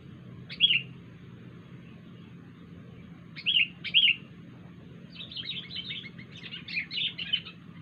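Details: Odd calls from a wild sooty-headed bulbul: single sharp, downslurred chirps at first, then a pair, followed by a long, quickening stream of fast chattering notes over a faint low hum.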